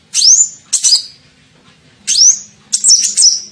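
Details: Lure call of the kolibri ninja, or olive-backed sunbird, to attract birds: paired short sounds, each a thin rising whistle followed by a quick chirpy trill, the pair heard twice.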